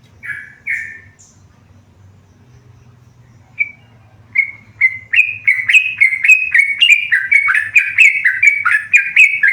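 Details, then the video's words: A tame yellow-vented bulbul gives two brief chirps, falls quiet, then builds into a fast, steady string of bright, slightly falling notes, several per second, while a low hum runs underneath. "burung trucukan gacor jinak"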